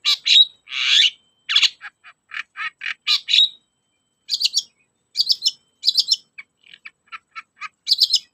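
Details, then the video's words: Long-tailed shrike singing, used as a lure to stir shrikes that are reluctant to sing. Short, dense chattering and scratchy bursts come in quick series, some phrases higher and buzzier, separated by brief pauses, with no other sounds. "BURUNG CENDET GACOR, PANCINGAN KHUSUS CENDET MALES BUNYI"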